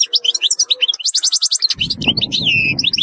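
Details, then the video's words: European goldfinch singing: rapid high twittering and tinkling notes, a fast run of repeated chirps, then a descending drawn-out note, with low background rumble in the second half. "تغريد رهيب للحسون"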